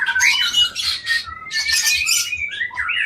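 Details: Long-tailed Aceh white-rumped shama, an Indonesian captive breeding bird, gives loud harsh chattering bursts mixed with clear level whistles and a final looping slur, faint rhythmic low thumping underneath.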